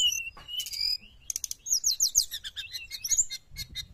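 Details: Sooty-headed bulbul singing vigorously as a wild-bird lure: opening whistles give way to fast chattering runs of bright, buzzy repeated notes, then scattered chirps.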